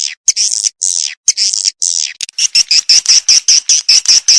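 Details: Edible-nest swiftlet calling sound used to attract swiftlets: harsh, buzzy chirps at first, then a fast run of short, regular twittering notes, about two or three a second, with no other sounds.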